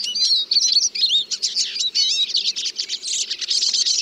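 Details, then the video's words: Eurasian siskin singing: a fast, continuous twittering of high, thin chirps and buzzy trilled notes with rapid rising and falling whistles, nearly unbroken, over a faint low hum. "The song of the Eurasian Siskin"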